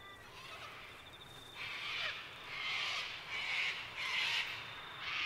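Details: Sulphur-crested cockatoos at Mt Coot-tha, Brisbane, Queensland, on 6 November 2022, recorded with a Canon R7: loud, grating, broadband screeches come in bursts, roughly one per second, against a constant hiss of background noise.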